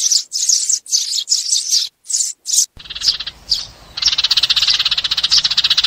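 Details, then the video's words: Sparrow flock call used for trapping: clean separate chirp bursts at first, then an abrupt cut to a denser, continuous buzzy chatter with rapid pulsed notes and a low background rumble. "TIẾNG CHIM SẺ GOI ĐÀN DÙNG ĐỂ BẪY"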